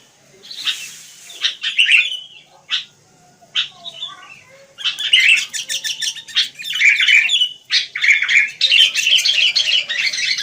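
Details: Wild sooty-headed bulbuls starting with scattered chirps and short notes, then breaking into rapid, busy chattering phrases from about five seconds on, dense and repetitive.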